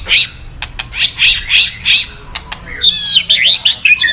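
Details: White-rumped shama provoked song: five harsh high chattering bursts at regular spacing, followed by quick high whistled and twittering phrases, used to excite a male into singing.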